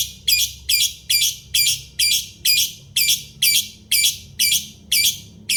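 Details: Lovebird song used as a master recording for training other birds: harsh, buzzy high-pitched chirps in a steady series of about twelve, roughly two per second, each a dense scratchy burst, over a faint low hum.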